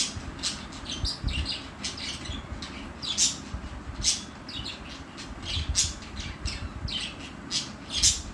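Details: Two pet budgerigars playing together, giving sharp, scratchy chirps and squawks in irregular bursts, several loud spikes about a second apart, over a low rumbling background.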